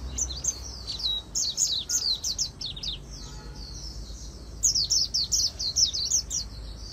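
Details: Magpie-robin-style 'líu đấu' song of an Oriental white-eye, recorded for voice training; sequences of quick, bright, high chirps, a brief lull with softer notes, then another rapid run.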